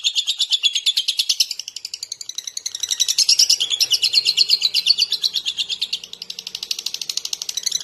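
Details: Lovebird song: a fast, continuous run of high chirps and twittering trills, pulsing several times per second with little variation in rhythm.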